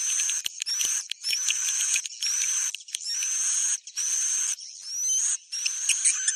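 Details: Rainy-season breeding lure call of edible-nest swiftlets: dense, continuous twittering bursts with thin high whistled notes sliding through, broken by brief pauses, with occasional faint clicks.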